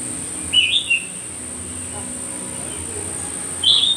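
A myzomela gives two short bursts of high, sharp chirps about three seconds apart, over a steady high-pitched insect drone.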